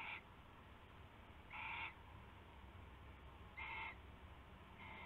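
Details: Owls before dawn on February 19, 2016, exchanging a rabbit caught as prey; short grating calls with a buzzy, slightly wavering tone, repeated at roughly two-second intervals against a constant low hum.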